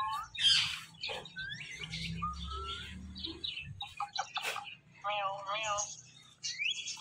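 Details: Pet Indian ringneck parrot described as very talkative, giving a jumble of speech-like chatter with short whistled notes, sharp high chirps and a wavering buzzy phrase near the end. A low hum runs underneath.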